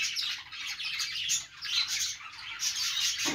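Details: Group of budgerigars singing while perched, an unbroken stream of chattering warbles, squawky notes and high chirps, with brief dips before the chatter resumes.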